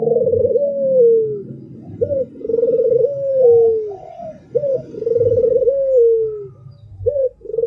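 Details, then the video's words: Repeated phrases from an albino spotted dove, each a short hooked note followed by a long pulsed coo sliding down at the end, about two and a half seconds apart. "SUARA TAJAM !!! BURUNG PUTER ALBINO ll SUARA BURUNG PUTER MERDU"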